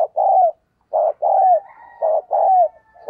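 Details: Decoy spotted dove giving vigorous urging coos meant to prompt newly caught birds to call: soft, hollow low notes in steady pairs, a brief coo then a drawn-out downslurred one, repeating regularly against a quiet background.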